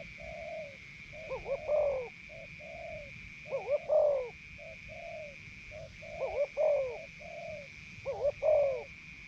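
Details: Decoy Spotted Dove from Isan, northeastern Thailand, just removed from a breeding cage. Cooing repeats about every two seconds: wavering double notes swelling into a drawn-out coo, interspersed with softer short coos. A steady high-pitched tone hums behind.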